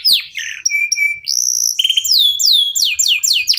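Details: Local canary in song, used to encourage other birds to sing: a falling whistle, short flat tones, a high held note, then a run of sharply descending whistled notes.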